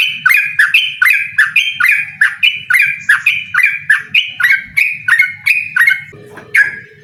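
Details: Energetic yellow-vented bulbul song aimed at drawing a rival into a duel: fast, liquid, chattering notes repeated steadily, thinning out near the end as a soft low tone enters.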